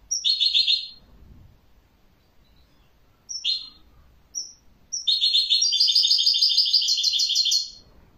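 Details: European goldfinch singing: a twittered phrase, a few isolated high chips, then a long, rapid, buzzing and tinkling run of about three seconds.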